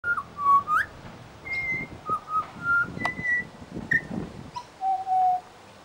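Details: Pied butcherbird in suburban Brisbane singing pure, flute-like whistles, a string of sustained notes stepping between low and high pitches, mimicking local sounds such as a mobile phone, car alarm, dog barking and other birds; faint background noise.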